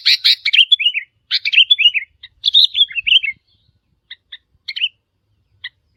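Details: Sooty-headed bulbul in the wild calling to challenge territory holders. Three busy phrases of tumbling, liquid notes open the passage, followed by sparse, soft single chips.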